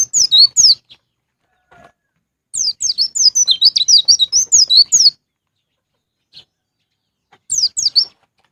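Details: White-eye singing in the ngalas ngeplong style, used to prompt caged birds to sing: short chirp bursts, then a sustained two-and-a-half-second volley of high, slurred notes, ending with a brief final flurry.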